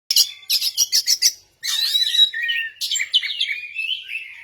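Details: Oriental magpie-robin in full song: six quick sharp chipping notes, a short gap, then a continuous run of varied high warbles and twittering phrases sliding between notes.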